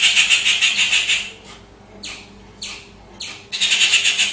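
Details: Bird chirping: rapid bursts of high, harmonic-rich pulsed notes open and close the recording, with a few sweeping downward swishes between the bursts.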